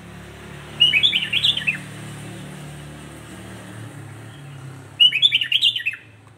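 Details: A sooty-headed bulbul delivers two chattering, bubbly phrases of quick descending chirps, about four seconds apart, over a steady low rumble. The song is said to provoke other bulbuls.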